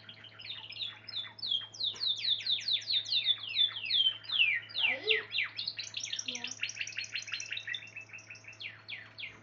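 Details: Spanish Timbrado canary pouring out a long rhythmic series of downward-sweeping whistled notes, several per second, shifting between faster and slower tours, against a steady low hum.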